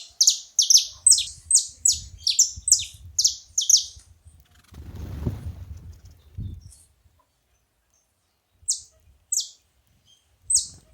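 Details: Saffron finches together: a fast string of piercing downslurred chirps for four seconds, a brief broadband rustle, then silence broken by a few isolated chirps.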